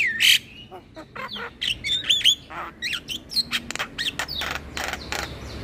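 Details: Javan myna chattering song used as a lure for all kinds of mynas and starlings: harsh broadband squawks and clicks mixed with short whistled notes rising and falling, in quick irregular bursts.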